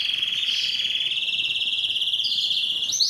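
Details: Spanish Timbrado canary singing; a sustained, steady metallic trill held on one pitch for nearly three seconds, faintly pulsing, ending in a brief rising flourish.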